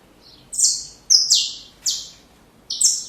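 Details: Saffron finch song for chicks: four separate harsh, buzzy notes, spaced by short pauses, the second slightly longer and lower than the others.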